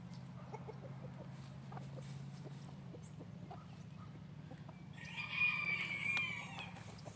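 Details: F3 Olive Egger rooster in a free-range backyard flock crows once late in the recording. The crow is a short, harmonic call over a steady low hum and faint background clucking.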